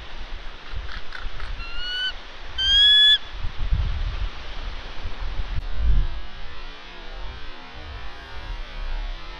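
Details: Female bald eagle on her nest with eggs on Santa Catalina Island, California, in February, harassed by ravens; two short, clear whistled notes with a high ringing edge near the middle, over steady low wind rumble.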